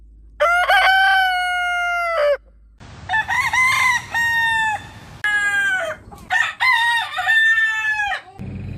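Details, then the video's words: Morning crowing by roosters, long-crow style: a steady sustained crow of almost two seconds, then a run of shorter broken crows with rising and falling tones, separated by brief gaps and a low background hum. "Morning Rooster Crowing Sound Effect Compilation - Suara Ayam Berkokok Panjang"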